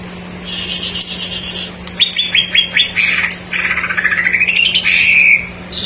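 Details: Greater green leafbird song meant to trigger silent birds to sing: varied chattering phrases, a series of rising slurred whistles, then a long descending-rising warbled run, over a steady low electrical hum.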